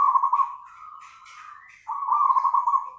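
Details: Zebra dove song in the nganyer style, a loud rippling trilled coo, a softer sustained note, then another strong purring trill.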